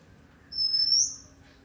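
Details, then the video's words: Single song phrase of an Oriental magpie-robin, a sustained high whistle that rises and brightens toward its end, against a faint low background hum. "വണ്ണാത്തിയുടെ പാട്ട്"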